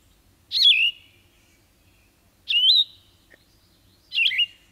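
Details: Yellow-throated Vireo singing three short, burry slurred phrases, each about a quarter second long and nearly two seconds apart, huskier and more rough-edged than a Red-eyed Vireo's, in a quiet background.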